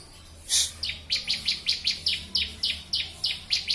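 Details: Bar-winged prinia (ciblek) in a master recording for training birds: a loud hissing burst, then an even string of crisp downslurred chirps, roughly four per second, each sharp and high.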